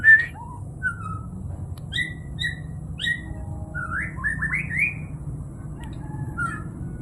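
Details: White-rumped shama delivering separate whistled notes, some bright and clipped, others slurred and falling, followed by a quick cluster of rising chirps, all set against a steady low rumble.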